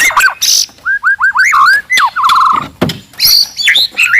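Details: Forest white-rumped shama in loud, aggressive song to rouse rivals: a string of mellow slurred whistles, a fast rattling trill, then high sharp notes and a brief rising whistle.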